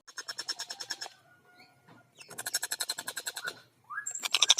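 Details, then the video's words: Long-tailed shrike (tengkek buto) singing: quieter bursts of fast rasping notes separated by a faint thin whistle, ending with a rising slur and a loud harsh burst. "Masteran Burung Tengkek Buto Gacor Suara Jernih Speed Rapat"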